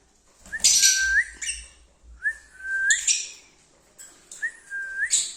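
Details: Singing lovebirds give three loud, scratchy chirp bursts about every one and a half seconds, each paired with a level whistled note that rises sharply at its end.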